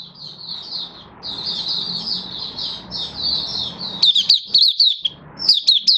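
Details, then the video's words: High, soft warbling from a caged Malaysian white-eye in Singapore on a stable, warm, sunny day, 20 March 2023, over a low background hum, then sharper, louder twittered notes in quick clusters toward the end. "Malaysian Mata Puteh Happy Buka Sing"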